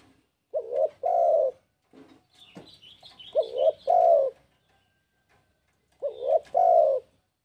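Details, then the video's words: Spotted dove in breeding condition calling a rival, giving three low phrases of a short wavering double coo and a longer steady coo. A thin, high twittering from another bird sounds between the first two phrases. "Suara TEKUKUR Gacorr BIRAHI Manggil LAWAN AUTO EMOSI"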